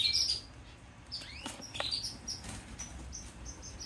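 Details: One-day-old Yellow Isabel canary chick begging while being hand-fed: thin, high cheeps and quick rising squeaks, with a louder burst at the start and fainter peeps afterwards over soft background hiss.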